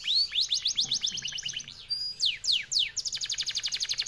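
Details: Song of an F1YS-type canary, described as long, fast, tight and clear: quick downward-sweeping whistled notes in rapid series, then a brisk, very even high trill.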